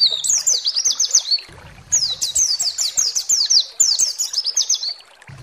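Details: White-eye (pleci) master song used to goad rivals into singing: three quick bursts of bright, high twittering, each a rapid string of slurred chirps, separated by short gaps.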